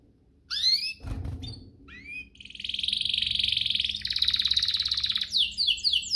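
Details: Canary song used as a lure to get other canaries singing eagerly: quiet start, a dull thump near one second, then short upward sweeps and a long, dense, buzzing trill rising to loud rolling phrases, ending in quick descending notes.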